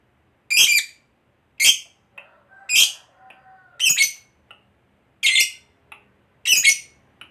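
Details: Lovebird of fighter competition type, a caged hobby bird: loud harsh squawking notes about once a second, each bright and buzzy, with softer short chirps and a faint low whistled tone in between.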